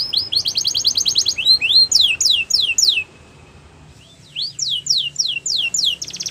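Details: Canary song opening with a fast even trill, followed by repeated rising whistled sweeps, a second of near silence, then more upswept whistles and a closing buzzy trill.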